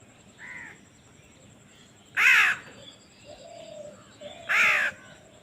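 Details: Hungry baby crow being fed: two loud, harsh, rasping calls about two seconds apart, each lasting roughly half a second, with fainter softer calls and a steady high hiss in between.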